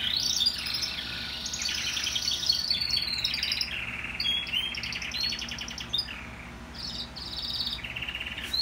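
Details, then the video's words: Canaries from a 2018 breeding, singing again after the moult: a continuous, varied high song of bright trills, rolling rapid note series and sliding whistles, with a steady low hum underneath. "Empesaron a cantar despues de la muda"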